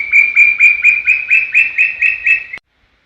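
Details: Brown tinamou singing in Serra do Brigadeiro State Park, recorded clean without added effects: eight quavering whistled notes in quick succession, each slightly higher than the last, ending abruptly.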